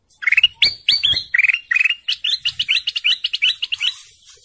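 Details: A golden canary sings a continuous rapid trill of bright chirped notes, shifting between note types without pause, from slurred whistles into a long, evenly repeated roll that gradually softens.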